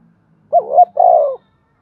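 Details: Decoy spotted dove calling to draw wild birds closer: a single short husky phrase of two low coo notes, the second a long rolling burr, against a faint low hum.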